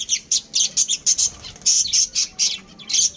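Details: Breeding pair of pet budgerigars at home giving bright, scratchy high chirps in quick bursts, some notes doubled, with brief pauses between groups.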